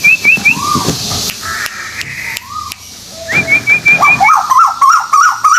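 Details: Lure calls of the white-billed tuwu bird, Malaysia, meant to draw in other birds: quick high wavy whistled trills, single slurred rising whistles and a lower burst of repeated whistled notes, spliced with sharp clicks between segments.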